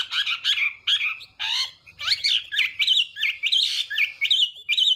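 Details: Chinese hwamei morning song, sung in contest to train the voice: varied, choppy whistles and harsher slurred notes break into short bursts, then settle into repeated upslurred whistles.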